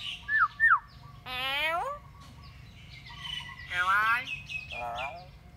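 A pet myna gives two quick whistled notes, then throaty, voice-like phrases that mimic human speech, three bursts in about five seconds.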